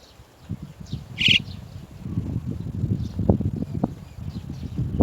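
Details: Chestnut-tailed starling, adults bringing their young out of the nest; one brief rough, rasping call early on, followed by steady low rustling and bumping noises with faint chirps behind.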